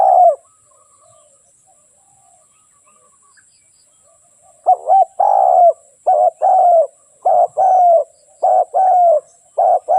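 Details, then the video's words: A single low coo from a Spotted dove, about four seconds of quiet, then a rapid string of soft two-part phrases: short double notes and longer coos delivered in close succession. "เสียงนกเขาใหญ่/suara burung tekukur"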